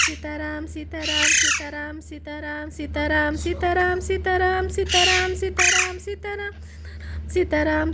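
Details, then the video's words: Parrot chick, a baby talking parrot, making clipped nasal calls in an uneven series, interrupted by several loud hoarse rasping screeches, with a low electrical hum throughout. "Baby parrot sound बोलने वाला तोते का बच्चा"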